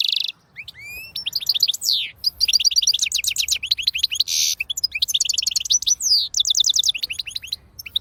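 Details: European goldfinch in full, continuous song: rapid, tumbling phrases of high tinkling notes, repeated chirp series, and several brief buzzy rasps woven between them.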